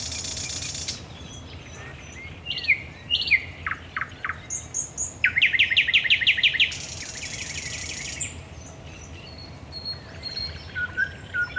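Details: Night song of a thrush nightingale at the Raszyn Ponds, Poland, on 10 May 2021: a rasping burst, varied clicking notes, a rapid loud rattle of repeated pulses, another harsh burst, then softer scattered whistles.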